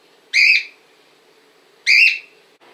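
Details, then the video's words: Two loud, ringing whistled calls from a cockatiel in Montpellier, France, each rising and lasting about a quarter second, spaced roughly one and a half seconds apart, with low steady hiss between. "LA PERRUCHE CALOPSITTE 🐦 LE CRI DE LA PERRUCHE"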